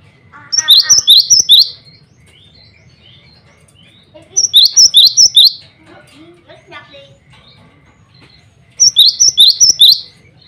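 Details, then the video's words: Male cinereous tit in full song, calling rivals and calling females, used as a lure for other birds; three bursts about four seconds apart, each a quick run of about six high, rising, ringing two-part notes, with quiet pauses between. "burung glatik batu gacor cocok buat pancingan"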